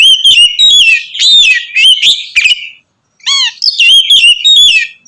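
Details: Loud, continuous Oriental magpie-robin song meant to provoke rival magpie-robins: dense bursts of sharp whistles and chattering notes, a short gap, then a rising burst of upswept whistles and more rapid varied phrases.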